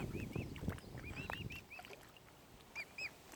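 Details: Mute swan cygnets, tiny and furry, on Lough Neagh at Oxford Island Nature Reserve, Ireland: clear, high, arched peeps given irregularly, a few louder pairs near the end, with low background rumble.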